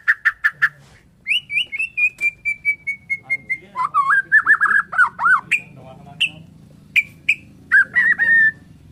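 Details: Morning song of a Bornean white-rumped shama: a long level whistle sliding slowly downward, then warbled lower phrases and sharp high notes, with a faint low hum behind.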